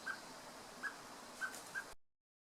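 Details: A male common blackbird calls for its young with four brief, soft, mid-pitched notes in under two seconds, against quiet background hiss, then silence.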